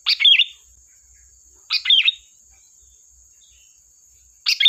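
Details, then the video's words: Gacor lure song of a sooty-headed bulbul: brisk, bubbly phrases with a bent whistled note, three heard, nearly two seconds apart, backed by a faint steady high-pitched tone. "Suara burung Kutilang Gacor || tembakan tajam pas untuk pancingan"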